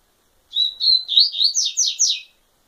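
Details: Double-collared seedeater song: a short phrase of about seven quick notes, starting with a steady whistled tone and turning into rising, buzzy slurs that climb higher toward the end, all within under two seconds, with a clean, quiet background.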